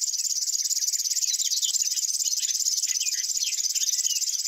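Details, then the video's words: Grass warbler singing: a continuous, fast, very high pulsed reeling trill without a break, with scattered short chirps and twitters beneath it throughout. "Grass warblers. Birds singing. Unusual bird chirps"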